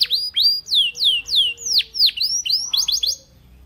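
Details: Belgian canary song meant to prompt other canaries to sing, made of clear descending whistled slurs repeated about twice a second, then quicker rising-falling notes before the song fades.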